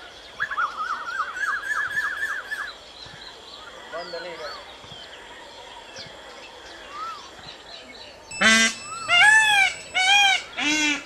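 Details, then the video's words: Peacock screaming four loud, ringing, arched cries near the end, after a stretch of warbling songbird phrases and scattered chirps from other birds. "Peacock screaming"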